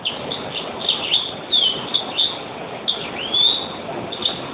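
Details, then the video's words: European greenfinch song as a steady run of high twittering notes and short rising slurs, delivered almost without pause against a low background hiss. "Green finch"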